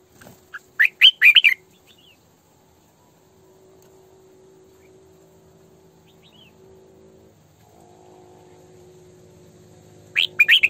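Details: Red-whiskered bulbul female, decoy bird singing sổ bọng căng song: a fast, bright warbled phrase at the start and another at the end, with a low steady hum between them.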